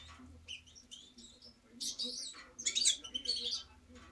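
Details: Sparse European goldfinch song: scattered high chirps and short twitters with brief louder buzzy bursts, over a faint low background hum.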